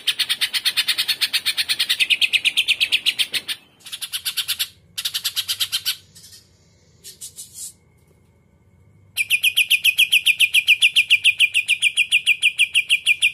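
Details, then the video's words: Long stretch of 'isian kapas tembak putar' song from a caged Greater green leafbird: dense buzzy pulsing, broken by short gaps and quiet fragments, then a strong steady run of rapid high repeated notes. "Cucak Ijo Muntah Isan Kapas Tembak Putar"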